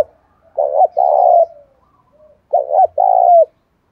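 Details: Two low rolling coo phrases from a spotted dove stirred to fight in seventh-month rain and wind, 'giọng thổ' voice; each opens with a quick double note and ends in a sustained throaty coo.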